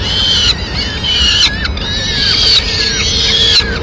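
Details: Peregrine falcons in Madrid, 29 April 2016, as the mother brings food to the chicks; high thin whining calls repeat about once a second, each sliding downward, over a faint steady low hum.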